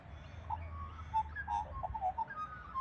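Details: A pair of Australian magpies in Australia singing together: soft, fluty whistled notes, some short and some drawn out, scattered across three seconds over a low background rumble.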